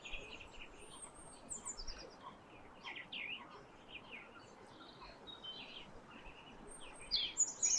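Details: Several birds in the winter sunrise morning chorus beside the Thames near Twickenham on a frosty day: scattered high chirps and short twittering phrases overlap throughout, with louder sharp notes near the end over steady outdoor background noise.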